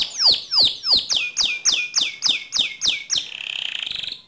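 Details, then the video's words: Canary phrase for training other canaries: a series of about ten loud down-sweeping whistled notes, roughly three per second, followed by a soft rapid trill. "Latih Mental Kicau Kenari Anda Dengan Suara Kicauan Kenari Gacor ini"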